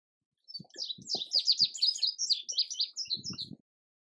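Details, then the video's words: An indigo bunting's lively song of high, clear, sharp notes runs for about three seconds, with low thumps of handling noise beneath it. "Indigo Bunting Song"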